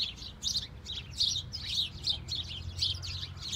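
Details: A flock of house sparrows in falling snow keeps up a steady chatter of bright, overlapping chirps, over a low rumble of background noise.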